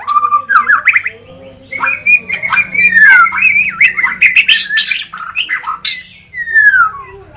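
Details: Song of a White-rumped shama: a continuous, varied stream of fluty whistles, slurred downward notes and quick harsh chips, with a faint low hum underneath.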